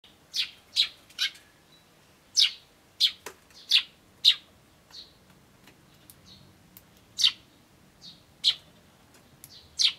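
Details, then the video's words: Eurasian tree sparrows at a bird table, recorded 24 May 2013, chirping while eating: separate short bright 'tyun' chirps, singly and in pairs, scattered irregularly through ten seconds over a quiet background. "鳴きながら食べるスズメ Tree Sparrows eating while chirping"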